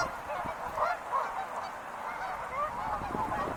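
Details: Wild geese calling, a blurred chorus of honks with a few clearer rising yelps, set against a fairly strong broadband background noise.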